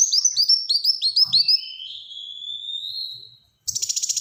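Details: Black-throated sunbird in rapid 'tembakan rapat' song, for luring and tutoring other birds: about a dozen quick high upturned whistles in a tight series, then a drawn-out thin slurred note, ending with a rattling buzzy burst.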